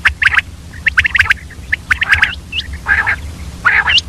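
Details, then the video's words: Common quail, described as female, calling in the early morning: quick, irregular bursts of short chirping notes, mixed with a few rising whistled notes and rougher, hissy squawks over a low background hum. "Batair ki awaz, Common Quail Calling Early morning , Female Batair Ki Awaz , Mix Quail sounds"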